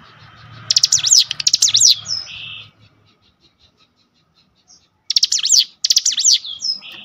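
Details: Lure song of a cinereous tit, used to make rival birds sing: a burst of two rapid chattering phrases, a short upslurred note, then about two seconds of silence before another similar phrase; a faint low hum underneath.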